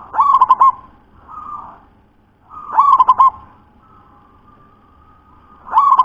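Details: Zebra dove of local stock sings three quick bubbling coo phrases, each opening with an upward note and breaking into five or so rapid throbs, repeated about every two and a half seconds with quieter humming between.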